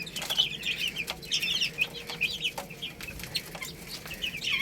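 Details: Flock of chicks eating rice calls in dense, shrill peeps, many short notes stacked together without pause, accompanied by tapping sounds.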